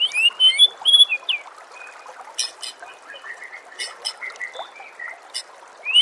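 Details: White-rumped shama song set against nature sounds and trickling water: clear whistled notes, some sliding and some steady, come in a quick run during the first second and a half, then fade under a dense background chorus.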